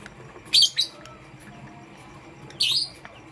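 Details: Pastel gray and green lovebirds in the morning: two quick harsh chirps, a pause, then one longer buzzy, squealing call that slides downward.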